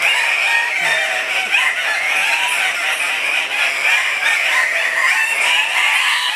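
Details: Several male Andean cock-of-the-rock in full display at a morning lek near Pacto Sumaco, Napo, Ecuador, 15 February 2015: a dense, continuous chorus of harsh squawking and clucking calls, overlapping, loud and without pause.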